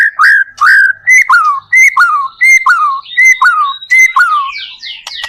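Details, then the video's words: White-rumped shama song used as a lure to prompt other shamas to sing: loud clear whistled phrases, each a short high note dropping into a slurred falling whistle, repeated about every half second, ending in sharp rising chips. "PANCINGAN murai batu gacor AMPUH BUAT MENDONGKRAK MURAI BATU MENJADI CEPAT BUNYI"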